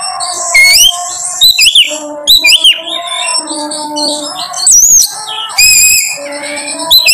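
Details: Oriental magpie-robin in full song, played as a lure to make another bird sing: loud separate bursts of sweet slurred whistles and sharp chirps about once a second, with a faint constant background hum.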